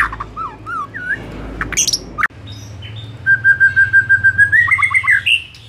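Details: White-rumped shama in afternoon song, recorded as a lure to encourage singing. Curved whistles and harsh notes open, then a clear whistled note repeats rapidly about a dozen times before rising into a higher trill.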